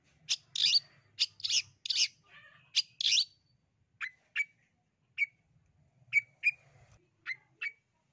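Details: East Java long-tailed shrike song used to prompt other birds to sing: a run of rough, buzzy chatter notes followed by spaced, short whistled chips, with faint low hum.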